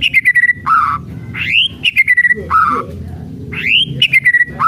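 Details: White-rumped shama in kretekan mode, alternating rapid rattling ticks with loud rich whistles that swoop up and slide down, repeated in lively bursts.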